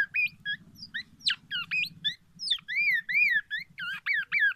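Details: Black-naped oriole singing a repertoire filled with oriental magpie-robin phrases, said to challenge other orioles; varied clear whistled notes, short slurred phrases and rising-falling arcs repeated in quick bursts, over a faint low hum.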